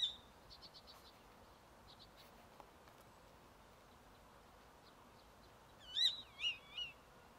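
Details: Common starling song recorded 21 April 2023 at Hauptmanca, Ljubljansko barje: soft ticking notes at first, then three loud, warbling, wavering whistles near the end, over a steady background hiss.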